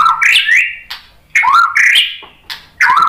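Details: White-rumped shama song, kept-bird lure recording: rich whistled phrases sliding between low and high notes, bursts separated by short pauses, with sharp clicks.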